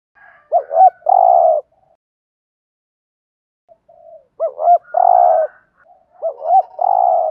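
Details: Spotted dove cooing to stimulate other doves to call: three phrases of two short rising coos followed by a long, low, steady hoarse coo, repeated in a low, mellow register.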